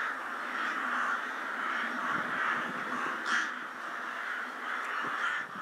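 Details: Assembling rooks at Ottakring cemetery, Vienna, in winter before dusk, recorded handheld; a thick, unbroken chorus of croaking caws with occasional sharper calls piercing through.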